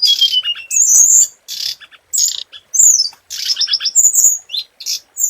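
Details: Scarlet minivet lure song opening with a long falling whistle. Loud, dense phrases of high whistles and harsh buzzy notes follow, along with a quick series of repeated short chips. The pace is rapid, with few pauses.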